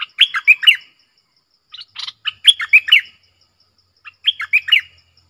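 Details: Clear-voiced red-whiskered bulbul giving its 'double song' style used as a lure: three separate bursts of quick, liquid, warbled whistles, each about half a second long, with pauses of one to two seconds between them.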